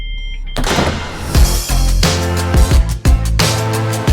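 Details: Loud music with heavy bass thumps and percussive hits fills the recording, and no birds or other animals are heard.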